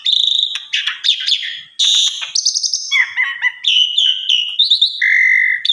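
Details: Varied whistling and buzzing song from an Asian pied starling, presented as teaching material for other starlings, ending with a steady low whistle.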